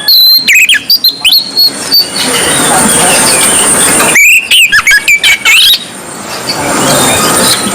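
An Oriental magpie-robin pours out loud, varied whistles and sharp chattering notes in two quick bursts, separated by a stretch of steady hiss.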